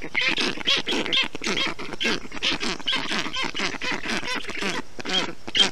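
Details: Black stork storklets calling in an Estonian nest on 20 June 2021, cooled in hot weather by the male with water, moss and wet grass; hoarse, nasal, rhythmic calls about two per second, several chicks overlapping.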